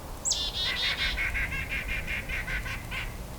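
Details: White-breasted Nuthatch in a winter woodlot of cedar, poplar, birch and maple during a Christmas Bird Count at Hanover-Walkerton, unusually talkative: a quick series of about a dozen nasal, tooting notes, roughly four per second, over a low rumble.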